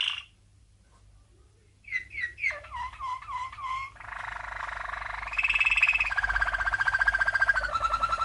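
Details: A Malinois (Waterslager) canary, a champion bird from 1997, sings a few looping, liquid notes, then a fast, bubbling, water-like roll sliding gradually lower; a training song.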